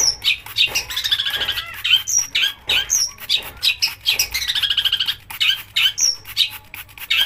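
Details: Harsh, mimicry-filled song of a long-tailed shrike used as a provoking call for other shrikes: scratchy warbled rattles interrupted by sharp chirps and short whistles, with two longer chattering runs.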